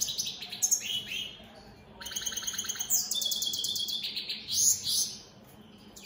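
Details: Opal split satiné goldfinches in song: high jangling notes and slurred whistles, then a long run of fast buzzy, repeated trill notes, ending with a loud twittering flourish.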